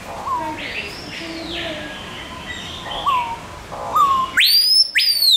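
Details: Captive Screaming Piha at Burger's Zoo, Arnhem, filmed up close after landing nearby, gives its loud call: softer slurred notes, then two piercing, steeply rising whistles that snap back down, over a humming background.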